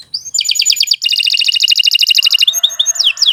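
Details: Canary song used to train beginner songbirds: a quick chattering trill rolling into a long, fast, even series of repeated notes, followed by a few higher descending whistles.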